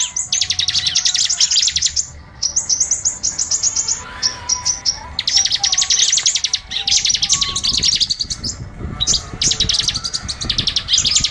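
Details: Lure sound for small birds: repeated bursts of fast, high, buzzy trills and chirps, each lasting one to two seconds, separated by short gaps.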